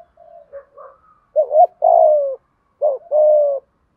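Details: Spotted dove decoy voice, 'thúc gù' style, used to train doves that do not coo; low soft murmured notes lead into two loud phrases of a doubled rising note and a long, gently falling coo.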